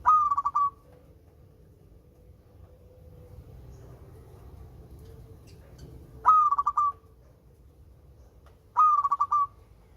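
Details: Local-type zebra dove with a sweet voice, phrases several seconds apart: a bright rising note, then a quick stuttering series of coos. Otherwise quiet apart from a faint low hum.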